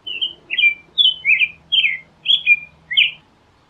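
An American robin sings a quick string of about seven clear, whistled caroling phrases, each rising and falling, over a faint low hum.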